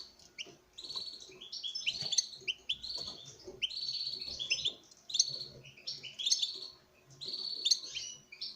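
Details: European goldfinch male, kept for breeding, singing before a female: a fast twittering run of bright, buzzy and tinkling notes in bursts with brief gaps, steady through the recording.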